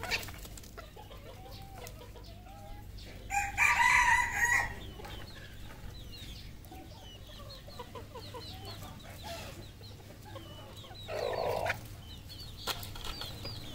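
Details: ['Red junglefowl on a Cambodian farm gives a loud, strained crow lasting about a second, with a shorter burst later. Soft clucking, thin twittering from numerous small birds and a low background hum run throughout.']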